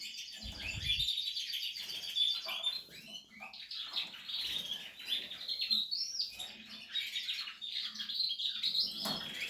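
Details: Nest-building Portuguese harlequin canary pouring out a rapid warbling song of high trills, quick upward sweeps and sharp chips, with a brief low thud near the start.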